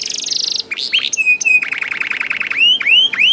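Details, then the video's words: A young canary singing to trigger song in other canaries: a high buzzy trill, then flat evenly rolled notes and a few rising curved whistles. "KENARI GACOR DOR NGEDUR NGOTOT CUIT CUIT NGEROL AMPUH PANCINGAN KENARI PAUD"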